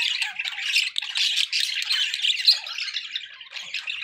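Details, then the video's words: Scratchy, busy budgerigar warbling, a steady tangle of chirps and grating squawks, briefly peaking with a bright chip before settling into softer chatter. "budgie sounds for pet birds"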